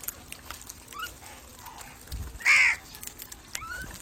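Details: Single loud, harsh crow caw, from a recording meant to attract crows, preceded by soft, distant bird calls and faint chirping.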